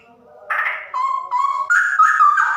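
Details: Caged female straw-headed bulbul singing a loud, continuous run of full, rich whistled notes that step up in pitch and end in bubbling warbles.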